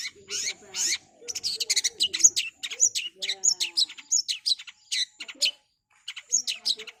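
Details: Long-tailed shrike in fast, chatty song, kept as a tutor recording for training other songbirds: rapid bursts of high, scratchy, chattering notes in dense runs with brief pauses, over faint low cooing in the background.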